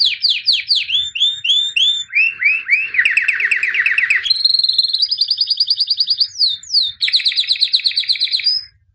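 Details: Champion white albino canary from 2017 singing a varied sequence: slow repeated downslurred whistles, then a dense buzzy rattle, a steady high trill, two sharp slurs and a final pulsed trill.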